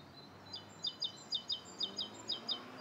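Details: Rose-coloured starling, Bishopston, Bristol, morning of 29 November 2014, giving a run of high, clipped paired chirps, about eight notes in under three seconds, with faint background hum.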